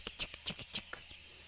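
A Green-backed Camaroptera gives a run of about seven dry, high snapping clicks in just over a second, like a camera shutter going off.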